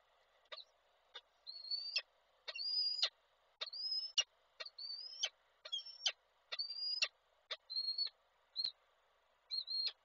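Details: Male peregrine falcon at a nest site in Koszalin, Poland, on 16 February 2024, bringing a prey gift and calling the female: about a dozen high, thin, rising chipping calls, roughly one per second, with sharp clicks between them.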